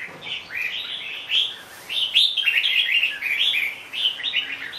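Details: Red-whiskered bulbul singing a run of short bubbly, warbled phrases that rise and fall, each under a second, with brief gaps between bursts and a quiet background.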